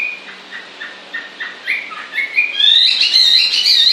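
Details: A bird singing continuously: a soft series of short evenly spaced notes, about three a second, building into a louder rising whistle and a sustained high bright trill at the close.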